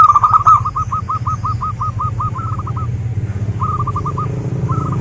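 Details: Local wild zebra dove singing as a lure for other zebra doves: a long, fast string of evenly spaced clipped cooing notes, then shorter rolling bursts, over constant low rumbling background noise.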